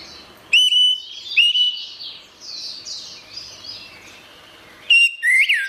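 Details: Orange-headed thrush song as therapy for birds that stopped singing: two steady, pure whistles about a second apart, soft high scratchy chatter, then a loud, rapidly modulated whistled phrase at the end.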